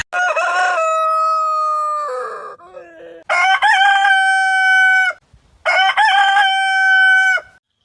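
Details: Three crows from a backyard rooster of a heritage breed. Each starts with rough stepped syllables and ends in a long, clear, level note, with quiet clucking between them.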